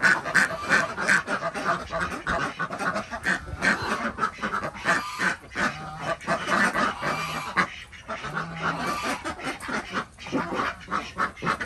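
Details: Desi ducks kept on a homemade village farm in Andhra Pradesh, heard at morning egg collection: a busy, irregular jumble of quacks and harsh calls. A few low, drawn-out notes appear midway.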